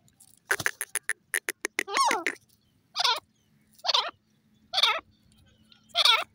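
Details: Francolin calling: a burst of sharp clicks, then four loud, harsh, downward-sweeping calls spaced about a second apart, with quiet gaps between them.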